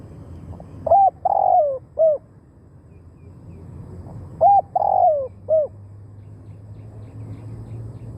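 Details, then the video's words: Spotted dove kept as a lure for wild birds; two soft three-part coo phrases, each a rising note, a longer descending coo and a short curved final note, with a long pause between. "เสียงนกเขาใหญ่ต่อ หมาน ๆ นกป่าเข้าไว"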